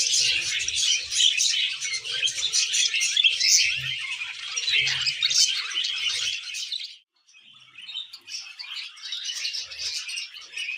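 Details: Tame budgies sounding happy indoors, pouring out busy, scratchy warbling and quick chirps for about seven seconds, then a brief pause before quieter chatter resumes.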